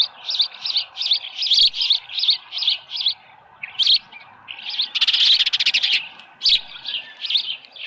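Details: Osprey calling at the nest on a ranch at about 6:52 AM, 24 July 2018, with a headless fish; evenly spaced sharp piping chirps in a steady run, then a harsh rapid burst and more chirps.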